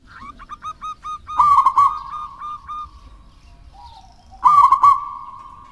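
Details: Local wild-type zebra dove in lively song, used to prompt lazy doves to sing: a run of short clipped coos, then two loud rolling, trilled coo bursts, each followed by a long steady hum-like note.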